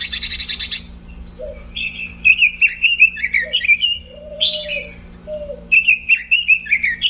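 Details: A robin opens with a harsh buzzy rattle, then runs into quick looping whistled warbles and a few lower drawn-out whistles; faint constant hum underneath.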